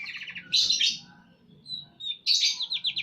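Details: White-rumped shama, murai batu in breeding condition, singing dense buzzy trills and a thin whistled note between two harsh chattering bursts, with a faint low hum beneath.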